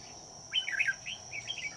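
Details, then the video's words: Red-whiskered bulbul used as a decoy for trapping on a cold day, giving a short run of clear whistled, warbling notes around a steady high insect-like hum and faint background hiss. "Bẫy chào mào"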